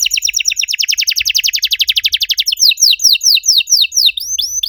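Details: Canary song as a training master for canaries that stopped singing; a long fast trill of about thirty evenly repeated downward notes, followed by slower looping whistled phrases.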